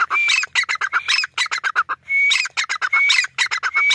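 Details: Dense, loud calling from a grey francolin: bright rising whistles mixed with fast, scratchy, staccato notes. Rhythmic phrases follow each other with hardly a pause across four seconds, and no other sounds are clear.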